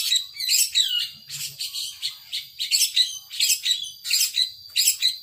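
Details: Loud, grating song bursts from a caged long-tailed shrike ('power sobek'), each burst a buzzy tangle of chattering notes, coming roughly every half second to second.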